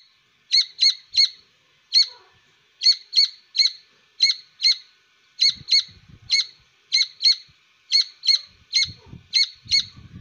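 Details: Grey francolin chick calling: short, sharp, high chirps in quick pairs and triplets, repeated steadily over ten seconds, with faint low rustling in the background.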